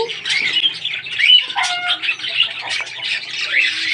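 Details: Pet Indian ringneck parrot, kept at home, calling while its owner tries to get it to talk: a run of harsh, rasping squawks and chattering chirps without a pause, with no clear words heard.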